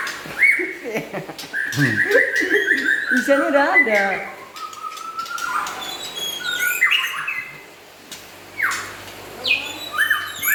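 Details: White-rumped shama, local and imported forest birds, singing a varied run of loud whistled phrases, some sliding and warbling, others short and rising, with brief pauses between bursts.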